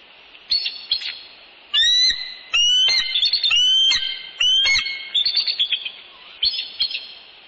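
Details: Bald eagles at a northeast Florida nest, evening of 20 January 2019, a mature adult newcomer present; three loud whistled notes with sliding pitch, followed by rapid, softer, twittering chatter.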